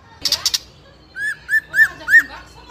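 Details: Juvenile spotted White-rumped shama, a fighter bird used as a lure to stir other youngsters to sing; a quick trio of dry clicks, then four arched, slurred whistles spaced about a third of a second apart.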